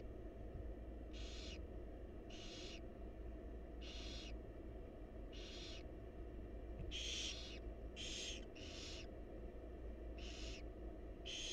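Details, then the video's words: Barn owl chicks, wild and filmed in a research nest box, beg from their feeding mother with about ten rasping hisses, spaced at first, then bunched in a rapid cluster, over a persistent low hum. "Barn Owl Mom Lovingly Feeding Her Adorable Babies"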